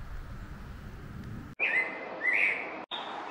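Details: A male Scarlet Tanager sings high in the treetops by a pond at Stony Brook Wildlife Sanctuary, Norfolk, Massachusetts, in 2021. He gives a couple of hoarse, burry, slurred middle-high phrases after a stretch of low rumbling background noise.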